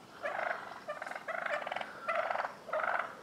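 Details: Wild turkey toms gobbling during a street fight in a residential neighbourhood of Willits, Mendocino County, California. Five rattling, rapid gobble bursts come in quick succession, each about half a second long, separated by brief pauses.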